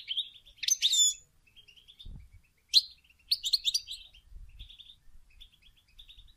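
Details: European goldfinch calling in bitbita style, used as a lure for trapping: sharp, high twittering notes and short buzzy trills in spaced bursts, with a few faint low thumps.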